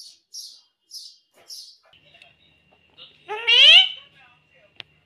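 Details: A green Indian ringneck parrot gives four soft high chirps, a faint steady whine, then one loud drawn-out voiced word-like cry, falling off before a sharp click.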